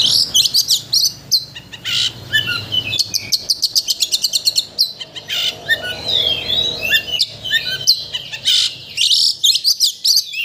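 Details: White-rumped shama song meant to excite a shama into singing everything it knows: fast rattling bursts of very short high notes alternating with whistled slurs and chatter, loud and nearly continuous.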